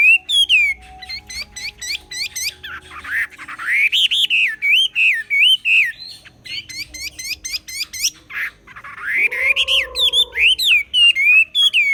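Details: Chinese hwamei from the Ha Giang highlands in Vietnam, kept as a songbird, delivering a long varied song: rapid repeated clicks mixed with wavering, looping whistled phrases, a lower drawn-out tone near the end, then brisk notes again.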